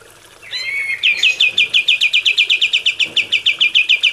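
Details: Captive-training recording of kapas tembak singing: a short slurred whistle, then a long, steady, rapid trill of bright, high chipping notes running for about three seconds.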